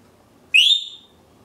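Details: African grey parrot calling loudly, countering the idea that greys are quiet birds: a single sharp rising whistle lasting about half a second, sliding upward then fading, with rich bright overtones and a quiet background.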